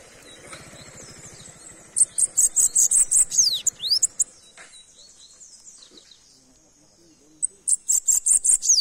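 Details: A bananaquit, called sibite, delivers a burst of rapid, very high, ticking notes with a couple of falling slurs, goes quiet for several seconds, then resumes the shrill pulsed series.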